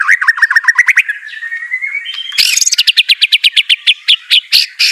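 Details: White-rumped shama singing, meant to get a reluctant bird to respond: a quick run of whistled notes, a long rising whistle, then a fast, sharp, evenly spaced trill of bright chips.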